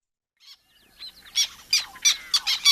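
Black Tern giving harsh, squeaky squawks, five loud bursts about every third of a second, high-pitched like a squeaky toy, with faint softer calls before.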